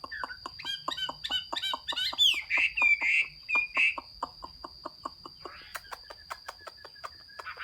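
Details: Chinese hwamei song, 15 June 2021: a series of sharp ticks leads into five loud, full whistled notes about half a second apart, followed by more dry clicking and brief chirps, with a constant high-pitched electronic hum.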